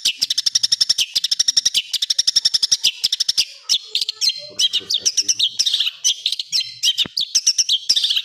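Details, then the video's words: Long-tailed shrike, known locally as cendet, in a coarse tembakan kasar training song for cage birds: fast rattling bursts of sharp high notes, then varied scratchy phrases and quick whistles, returning to rapid rattles. "MASTERAN CENDET FULL ISIAN TEMBAKAN KASAR"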